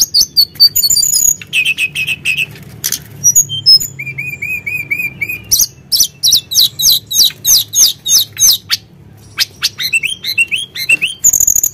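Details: Sunda blue robin in full, active song, recorded as a lure to provoke other birds: varied high phrases with bright chirps, a row of short whistled notes, buzzy trills and fast clipped notes in quick succession.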